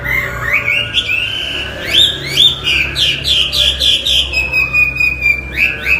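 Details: Sustained Chinese hwamei song: long whistled notes that rise and level off, mixed with bursts of sharp clicking notes in quick rhythm, loud and clear over a faint low hum.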